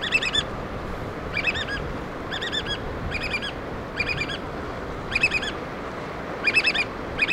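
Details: Black oystercatchers calling while feeding chicks: loud, sharp whistled notes run together in quick clusters, repeated roughly every second, over a steady shoreline hiss.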